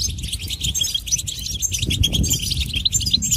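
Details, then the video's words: Goldfinch in its natural environment giving high, quick twitters and chirps, partly masked by loud, constant low-frequency noise. "soothing nature sounds of the Goldfinch"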